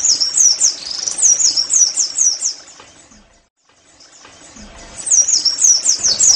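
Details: Pleci, the Oriental white-eye, in 'nembak' song for caged-bird training: slurred, high chirps in quick bursts, a near-silent pause of about two seconds, then another burst of thin twittering notes.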